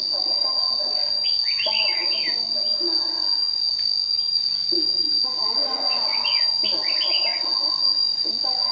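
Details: Decoy red-whiskered bulbul, white-cheeked form, in a morning singing duel for trapping in Đồng Nai on 26 June 2019; two bouts of rich, fluty, swooping warbles separated by a pause, over an unbroken high electronic-like whine.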